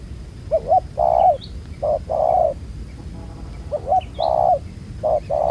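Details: Low mellow cooing of a spotted dove, a black-collared wild field bird, at a ground-decoy trap: quick clipped notes followed by a drawn-out coo, two phrases in a row, with faint high chirps from other birds.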